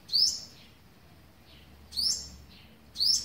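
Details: Olive-backed sunbird at the nest feeding young on the eleventh day, recorded 27 November 2019; three high, sharp rising chirps with fading downward sweeps, the later two about a second apart, over soft background hiss.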